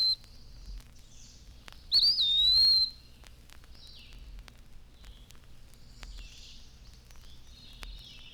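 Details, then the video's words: In spring, after the morning chorus has subsided, an Eastern Wood-Pewee in shade trees gives one high, plaintive, slurred whistle that rises, then dips and draws out, sounding its name; faint chirps from other birds behind; 1954 recording. "The morning chorus has subsided now, but all day long we can hear from the shade trees the plaintive, drawn-out whistle of the wood pewee, calling its name."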